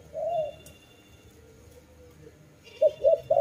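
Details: Dove coos at the start and end, short rounded notes separated by a quiet pause with faint background hum.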